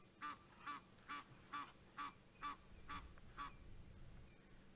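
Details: Egyptian geese at a dam in Djuma Game Reserve, calling in alarm at a leopard at sunset: seven evenly spaced nasal honks, then quiet with faint low rumble.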